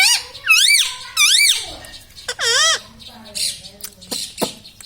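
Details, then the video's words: Ring-necked parrot kept as a pet, said to talk and say mummy, papa and radhe radhe, makes three loud arching squawky phrases, each rising and falling, followed by softer murmurs and clicks. "parrot talking mithu ||tag name parrot voice||"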